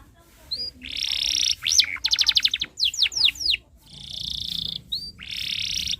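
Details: Canary singing continuously as a tutor song for young birds: harsh buzzy rolls alternate with fast rattling trills and steep descending whistled sweeps, ending in another buzzy roll.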